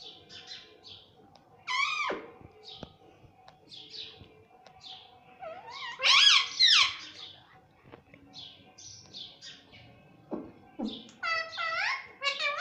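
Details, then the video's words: Pet rose-ringed parakeet talking, saying words like "mummy" and "papa"; scattered, wavering, tonal syllables with rising and falling harmonics, one louder squeaky burst near the middle, quiet room background with low hum. "Talking parrot || talking parrot mummy papa || bolne wala tota"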